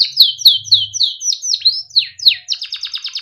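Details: Timbrado canary singing melodic training song: a string of clear downward-swept notes about four per second, ending in a fast rattling trill, with a faint low hum underneath.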